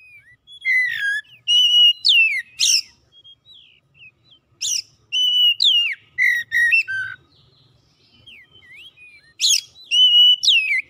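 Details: Oriental magpie-robin singing, used to prompt a silent bird into song; rich varied whistles, sliding and level notes mixed with sharp high upswept chips, delivered in dense phrases with a brief quiet gap midway.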